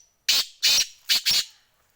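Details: Black francolin in Sindh, Pakistan, giving a loud, harsh, grating call of four rasping notes: a short first note, a longer second, then two quick notes close together. There is little else in the background.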